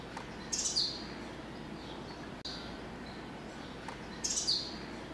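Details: A purple-banded sunbird visiting a sixth-floor balcony garden in central Dar es Salaam, Tanzania, gives two brief, high, thin chipping calls about three and a half seconds apart over a steady low background hiss.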